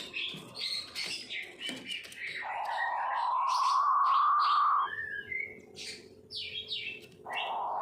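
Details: Puyuh batu quail with its 'ngorok' snore: a steady droning note that swells and slowly climbs for over two seconds mid-recording, with busy high-pitched chirping and twittering from other birds before and after.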